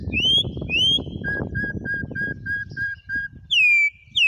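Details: Campo troupial, wild song: two upswept whistles, then a row of about eight short, even, lower whistled notes, ending with loud downslurred whistles over steady low noise.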